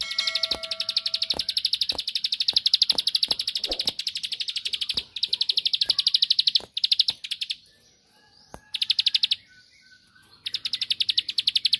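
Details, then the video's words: Rice-field bar-winged prinia in 'ngebren' song meant to goad a rival into answering: long, dense stretch of rapid high ticking notes, then a near-silent pause around eight seconds and two more quick bursts, with scattered sharp clicks and a brief faint whistle. "Tembakanny Ampuh Pancing Emosi Lawan //Pasti Langsung Nyaut Gacor"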